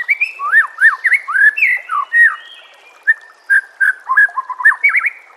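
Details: Caged-bird training master song of white-rumped shama: rich looping whistled phrases that dip and rise, a pause, then quicker twittering notes.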